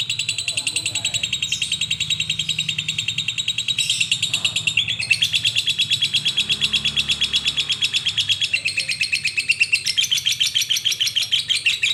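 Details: Koslet-style lovebird song, a long run of rapid, harsh, high chirps that shifts pitch slightly partway through and runs without pause over a faint low hum.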